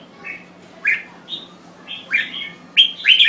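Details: Brief burst of red-whiskered bulbul song from a Thai bird: a few quick warbled whistles, rising and falling, building into a louder tumbling phrase at the end.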